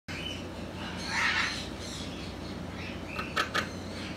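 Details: Two-month-old sulphur-crested cockatoo chick giving a drawn-out raspy squawk, then a few short harsh bursts near the end, over a steady low hum of background noise.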